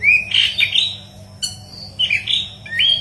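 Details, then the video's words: Yellow-headed leafbird in intense (gacor) song, recorded as tutor material for green leafbirds: quick warbled phrases with slurred rising and falling whistles, split by a sharp click and a short pause. "Burung Murai Daun Kepala Kuning Gacor"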